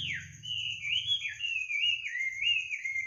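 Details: Night-time birdsong at midnight: a continuous warbling whistle that wavers up and down in quick slurs for three seconds, with a steady high-pitched tone and faint low hum behind.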